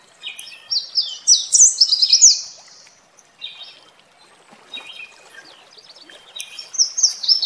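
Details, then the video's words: Red warbler song with a waterfall in the background: a rapid run of high, sweet, twittering notes with sliding whistles, a pause with soft distant chips, then another high warbled burst beginning at the end. "Kırmızı Ötleğen Kuşu Ötüşü"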